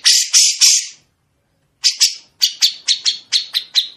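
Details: Grey-cheeked bulbul recorded as a master song for other songbirds to imitate: three loud harsh, rasping notes, a second of silence, then a string of clear, slightly descending chirps about four per second. No other sounds.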